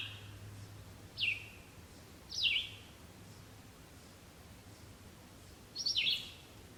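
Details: Red-eyed Vireo song in Ontario: short slurred whistled phrases, each dropping in pitch, like a question answered, separated by pauses of one to three seconds, over a faint low hum.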